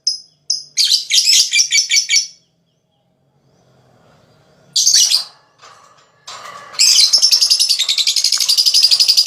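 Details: Lovebird giving gacor ngekek song used as therapy to spur rival birds to sing: dense, high chattering bursts with pauses, then a long run of fast, evenly pulsed rattling notes near the end.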